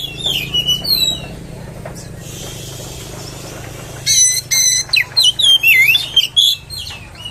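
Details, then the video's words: Oriental magpie-robin song meant to provoke other magpie-robins: opening whistled phrases, a few seconds of quiet hiss, then repeated harsh rasping bursts alternating with looping whistled notes near the end. "PANCINGAN KACER!! terbukti kacer ANDA AKAN NGAMUK!!!!"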